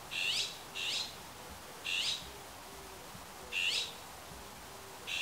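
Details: Azure-winged magpie giving its everyday call notes from a Himalayan cedar: harsh, rasping, buzzy single calls repeated at irregular intervals of about one to one and a half seconds, five in all, over a steady hiss of background noise.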